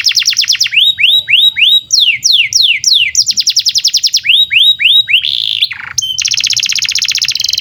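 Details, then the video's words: Canary in full song, played as training song for young birds and silent canaries: rapid chopped trills and grouped rising-falling whistled swoops, a brief pause, then a high rolling trill to the end. "SUARA BURUNG Kenari GACOR PANJANG INI Cocok untuk Masteran KENARI PAUD dan Kenari Macet BUNYI"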